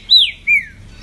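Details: Pet green-winged saltator performing for its owner, giving two loud clear whistled notes, the first arching high then falling, the second a shorter falling slur, with a quiet low hum beneath.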